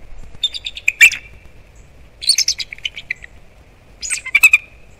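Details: Bald eagles at a Florida nest on Captiva/Sanibel Island, mid-December 2021 morning, giving alarm vocals at something nearby: three short bouts of high, stuttering chitters and squeaks separated by quiet gaps.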